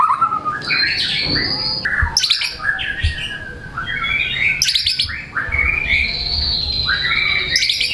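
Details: Caged white-rumped shama in full song, performing varied mimicked material as a lure to spur silent birds into singing: loud rich whistles and sharp chips alternating between high and mid pitches, with buzzy bursts every second or two.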